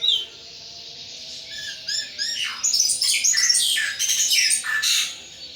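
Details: Pet thrush kept in a cage, singing hard in ngeplong style: a varied run of sharp high notes and down-slurred whistled phrases that grows louder after two seconds, over a faint steady hum.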